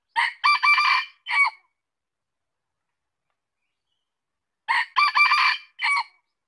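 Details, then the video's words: Two complete crows from a red junglefowl, about four seconds apart. Each is a hoarse, strained series: a short opening note, a longer buzzy middle section and a clipped closing syllable. Nothing else can be heard. "Suara ayam hutan | Chicken fowl sound"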